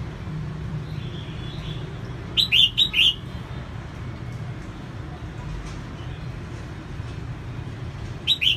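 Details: Female red-whiskered bulbul singing to stimulate males: a quick burst of three bright, slurred chirping notes, then silence and a single short note near the end, over a steady low hum.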